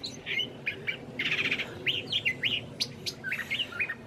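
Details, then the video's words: Evening song of a curve-billed thrasher in Santa Fe, New Mexico, on a mild March evening: quick varied whistled notes and slurs with a short buzzy burst, while a meadowlark sings in the background. "Curve-billed thrasher Evening Song (Spottdrossel)"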